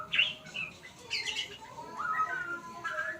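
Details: White-rumped shama learning sounds: bright short whistles and a few chirps, then a gliding, wavering whistle near the end, against a low background hum.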